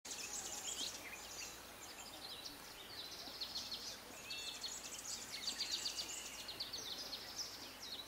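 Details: Cinnamon-chested bee-eaters (Merops oreobates) at Kibuye, Rwanda, in March 2013, give soft, high chirping and rolling trilled notes in quick, uneven succession, several calls overlapping against a faint outdoor hiss.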